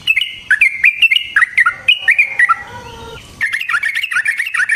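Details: Yellow-vented bulbul in chatty long-rolling song, used as a lure to draw other bulbuls into singing: a string of clear wavering phrases, a short pause, then a fast bubbling chatter.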